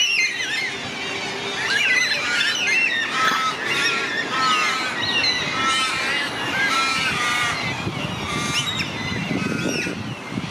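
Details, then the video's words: Flock of Carnaby's black cockatoos, Western Australia, giving a chorus of harsh, wavering squeals and bending wails that overlap throughout, with a constant low background rumble. "Western Australian Carnaby Calls"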